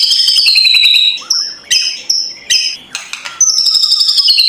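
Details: White-rumped shama, harsh crackling morning song for provoking a lazy bird: long high descending whistles, then short clipped notes spaced about half a second apart, and another high whistled trill.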